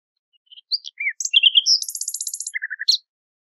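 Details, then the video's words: Nightingale song phrase opening with scattered varied whistles and twangy notes, then a fast, very high buzzy rattle, ending on a few low, short repeated notes; no background sounds. "شريط تغريد عندليب"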